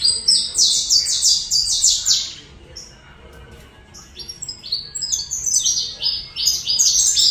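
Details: Saffron finch singing in Colombia: bright, high chirped notes tumble in quick sweeping series, pause briefly, then resume as another rapid run of sharp descending chips.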